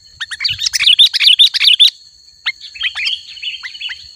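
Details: Sooty-headed bulbul song in a lively, chatty style: a dense, tumbling burst of sharp twittering notes for two seconds, then scattered short chirps and slurred whistles over a constant high hum.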